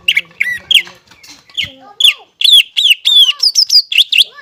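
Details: Greater green leafbird singing actively to stimulate young birds: varied slurred whistles and chattering notes, building into a rapid, high sequence of bright, looping whistles.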